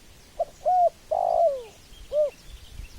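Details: Spotted dove cooing up close: a brief note, a short arched coo, a longer drawn-out falling coo, then a final rounded coo.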